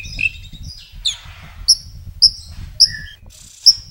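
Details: White-rumped shama song with many imitated phrases, heard over a low rumbling background: sharp high whistled notes repeated at irregular intervals between thin buzzy sweeps.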